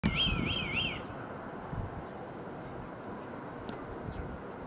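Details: Red kite in a blue sky on 16 July 2022 gives one quavering, high whistle that wavers rapidly up and down for about a second, followed by steady wind noise.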